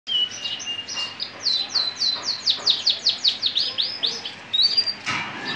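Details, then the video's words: Male French humped (giboso-type) canary, caged, singing a fast, high run of rising chirps repeated several times a second, with a brief trill and a sharp note near the end. "تغريد كناري"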